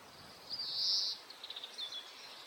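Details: Oriental greenfinch, a common neighbourhood bird in Hokkaido, breeding-season male singing, filmed with a Nikon COOLPIX P950: a drawn-out nasal, buzzy high note, then a few short twittering notes and a thin slurred note, over steady background hiss.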